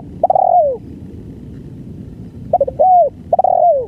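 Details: Long-duration song of a spotted dove: a drawn, slurred coo that sinks at the end, then a pause, then a stuttering double note, an arched coo and another long falling coo, over low background hum.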